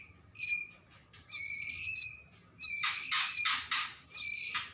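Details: Young white-rumped shamas of the Medan variety from Lamongan, East Java, giving harsh, nasal, layered calls about half a second long, then a cluster of loud raspy hissing bursts near the end.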